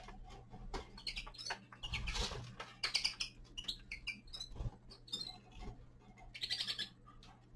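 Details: Young male common linnet in winter, giving rapid bursts of short, high twittering notes that come in quick runs and pauses, mixed with dry clicks and rustling and a steady low indoor hum.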